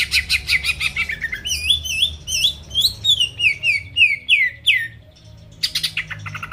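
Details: Greater green leafbird song used to excite rival birds: a buzzy opening, then a rhythmic string of wavering and down-slurred whistles, a pause, and a final harsh rattle, over low hum.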